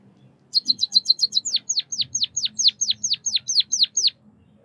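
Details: White-headed munia (Lonchura maja), locally called bondol kaji, chirping: a quick run of short high ticks, then a steady series of about a dozen sharp downward-sweeping chirps, evenly spaced, against a quiet background.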